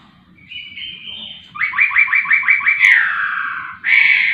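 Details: Laughingthrush singing energetically: a soft rising whistle, then a rapid series of about seven repeated downslurred whistled notes, a long sliding note and a final loud buzzy note, with faint low hum.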